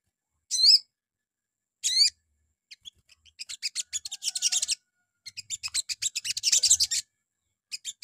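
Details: Sogon in the morning, sung to provoke other birds into answering: two ringing, wavering whistled calls open, followed by long runs of fast, scratchy high-pitched chatter and a few final chips.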